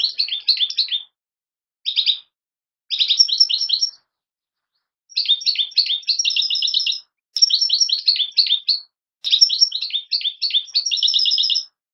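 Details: Young European goldfinches giving repeated clusters of fast, liquid twittering chirps in bursts of one to two seconds with brief silent gaps, at a clean, quiet background.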